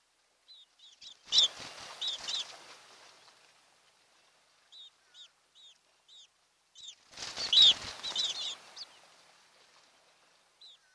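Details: An osprey at a nest on Kent Island, Maryland, on the morning of 26 June 2018, gives short, high, whistled chirps in loose series, about one every half second; two bursts of rushing, flapping wing noise break in.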